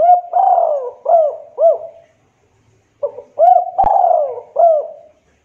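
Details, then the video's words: Local Java spotted dove with a soothing, vocal call used to lure other doves into replying: two repeated phrases of soft hoo notes, with a long sliding coo in each, a short pause between them and a sharp click in the second. "Pancingan Suara Derkuku Lokal Jawa Gacor Suara Adem, Sekali Putar Derkuku Lain Nyaut"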